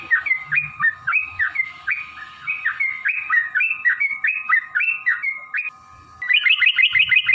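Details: Yellow-vented bulbul in long ropel song to stimulate caged birds. A chain of quick bubbly whistled notes, a brief pause, then a faster run of rising notes, over a steady background tone.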